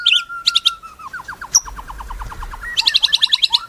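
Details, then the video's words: White-rumped shama, a prized songbird: long steady whistle near the start, then a rapid series of slurred downward notes, with bursts of high rattling trills at the beginning and end. "MURAI MERDU"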